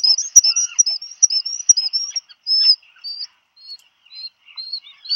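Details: Black guillemot parents at their burrow, Seal Island National Wildlife Refuge, Maine, USA, 27 June 2020, when food arrives for a chick; loud, thin, high whistles in a quick run, then sparser single whistled notes with short pauses.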